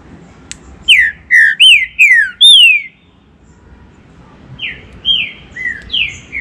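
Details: A Green-winged saltator, used as a warm-up to excite other saltators, sings loud, clear whistled notes slurring downward, five in quick succession, a short pause, then four more over a faint background hiss.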